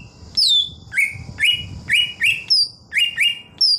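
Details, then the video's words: Wild-style "ngalas" singing from a greater green leafbird: about eight clear whistles in under four seconds, each a quick upward flick then falling, alternating higher and lower notes, fairly evenly spaced against a quiet backdrop. "cucak ijo suara ngalas"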